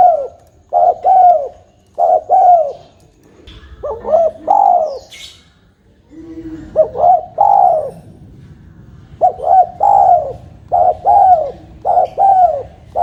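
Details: Repeated coos of a tame spotted dove, short soft hoots followed by a longer drawn-out falling note, phrases run close together with a brief gap; faint knocking and low background hum.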